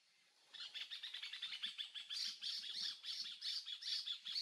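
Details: Green Honeycreeper at Ubatuba, Brazil, in 2016: a fast run of high, squeaky chirps, about three per second, growing louder into a bright chattering series, with faint low clicks beneath.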